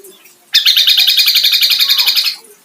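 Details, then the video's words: White-eye, a kecial of the kombo type, delivering a loud, rapid, high-pitched chirping trill of about twenty quick notes that lasts nearly two seconds and then stops abruptly. The background is quiet before and after. "BURUNG KECIAL KOMBO"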